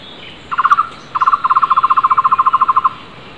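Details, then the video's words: Wild flame-fronted barbet giving a vigorous, loud call: a brief cluster of quick hollow notes, then after half a second a steady series of around twenty evenly spaced repeated notes, with soft distant bird sounds. "Takur tohtor gacor keras di alam bebas"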